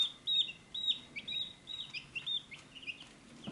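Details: Chicks at a feed dish in a short burst of dense, high, shrill peeps, nearly continuous, ending with a brief noisy thump.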